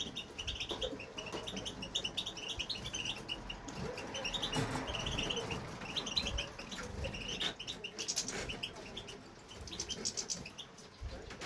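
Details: Male European goldfinch singing in a home aviary, a bird said to keep going once he starts: dense runs of short, bright twittering chirps and trills, continuous over the whole stretch, with faint background rustling.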